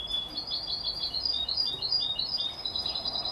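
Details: A 33-day-old canary crossed with European goldfinch keeps up a continuous, fast, high-pitched twitter of chirped and slurred notes throughout, with faint steady hiss behind.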